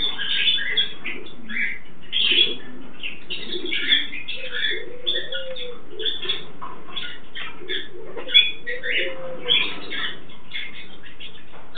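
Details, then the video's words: Pair of caged Turquoise-fronted amazons mating, giving a steady stream of short rough squawks and grating notes, with occasional low rising-and-falling hums underneath throughout. "Amazona aestiva cruzando / parrot aestiva mating"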